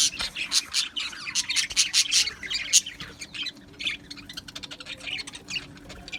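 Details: An aviary colony of Australian budgies keeps up a constant jumble of sharp chirps, squeaks and rapid chatter, louder in the first half, with a faint steady hum behind.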